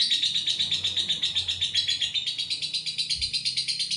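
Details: Long ngekek trill from a lovebird, a continuous rasping chatter of quick pulsed notes about four per second, steady and loud, a faint low thump near the close.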